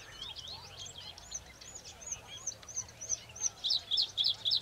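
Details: A Bluethroat lured by a playback of song, clearly displeased by the rival's singing, flies in and sings a quick, varied run of high, thin notes ending in ringing metallic ticks repeated several times a second; faint background noise.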